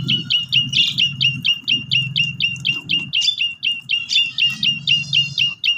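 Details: Steady rapid chip notes from an Asian pied starling, roughly two per second, over a continuous low hum; recorded as a lure to make a silent starling sing.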